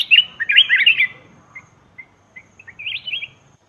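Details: Calls of a black-crested bulbul from Laos, played to attract wild birds: an opening burst of rapid looping whistles, a few isolated short chirps, then a softer wavy phrase.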